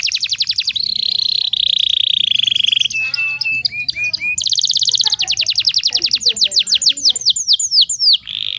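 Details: Breeding-condition female canary, used to stir males into singing: a long bright trill, a few rising chirps, then a rapid pulsed roll breaking into sharp downslurred notes and a final buzz.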